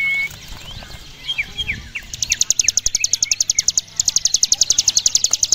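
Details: Ciblek gunung, the Javan prinia, singing the long ngebren drill used as a tutor recording: a few scattered slurred chirps and a flat whistle lead into a sustained, rapid, evenly spaced high ticking rattle.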